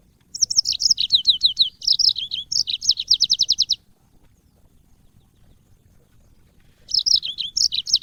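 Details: Yellow-fronted canary song used to train cage birds: a fast run of high, slurred, repeated notes for about three seconds, silence, then the same lively warbling starts again near the end.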